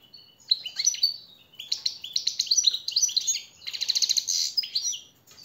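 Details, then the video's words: European goldfinch song used as a master training song for captive birds: rapid twittering phrases of buzzy and liquid notes between about 2 and 8k, in three bursts with short pauses, quiet background. "jilguero el reclamo maestro y motivador"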